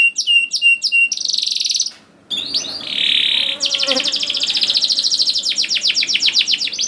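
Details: Canary song for training young canaries to sing, with whistled repeated notes, a buzzy trill, a short gap, then long rapid rattling trills continuing to the end.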